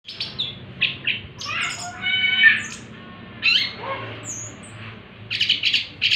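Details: Orange-headed thrush singing in the afternoon in an excited, intense state: varied bursts of warbled and slurred phrases with rasping notes, separated by short pauses, plus a high whistled note near the end.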